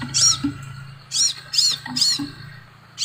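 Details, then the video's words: Crimson sunbird giving bright, high, arched chirps, one then a quick group of three, over a low hum with soft lower clicks. "BURUNG SEPAHRAJA"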